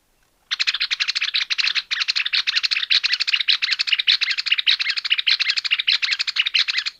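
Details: Greater Wagtail-Tyrant: a loud, continuous, rapid chattering of harsh notes sustained for over six seconds, with brief breaks between bursts.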